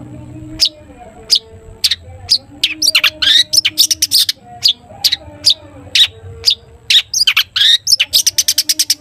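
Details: Long-tailed shrike, a caged songbird, in lively toet toet song used to coax other shrikes into singing; sharp high notes come in irregular bursts, then quicken into rapid chattering runs, with a soft low hum beneath.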